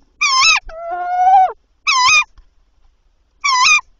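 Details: Tawny owl at night, 7–8 April 2023, while the male brought prey, three items by 01:00; three short rasping, wavering calls, the first followed by a long level tonal wail.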